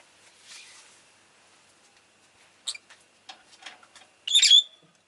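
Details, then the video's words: Rosy-faced lovebird, Agapornis roseicollis, giving one loud, harsh, high squawking chirp near the end, after soft scattered ticks and faint rustling. The recording is stated to include town noise. "Lovebird Chirping Sounds"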